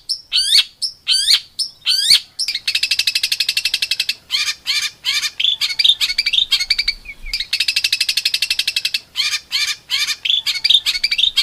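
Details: Songbird tutor recording for competition birds, described as rough, shot-like phrases: sharp descending chips alternate with long, fast, buzzy rattling trills, repeated in bursts over several seconds with short pauses between.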